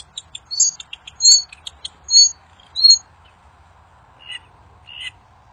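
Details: Kincir angin bird singing in the wild, song said to draw quick answers from other birds: scattered thin high ticks and short whistled notes, fading to a few softer calls.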